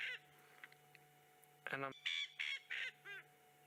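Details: Coqui Francolin calling in an area with quite a few of the birds, at least two others answering in the distance: a loud harsh burst followed by four evenly spaced nasal, two-toned notes, with faint notes early on.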